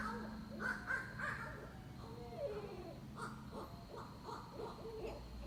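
Barred Owls give a wild, irregular run of hoots, cackles and whooping yelps that sound like monkeys. A steady low rumble of background noise runs underneath.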